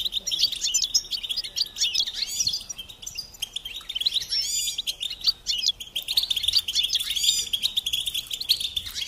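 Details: Goldfinches singing on a training tape for songbirds: lively high twittering with rapid repeated chirps, sweeping whistled notes and buzzy trills, nearly nonstop.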